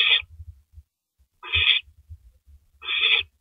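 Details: Owl eating a big rabbit at 3:33 AM on April 9, 2012; three rough, hissing screech notes about one and a half seconds apart, over low thudding and shuffling sounds from the feeding.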